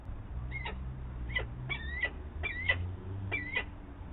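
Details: Two peregrine falcon chicks at a Nottingham nest, being fed by the female on 7 May 2022, give thin, wavering, squealing cries in short bursts, roughly one per second, over a steady low rumbling hum.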